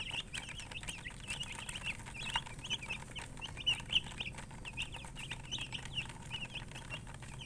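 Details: A flock of colored chickens, or murgi, chirping: dense, bright, rapid peeps running without pause, some louder calls standing out, over a faint low hum.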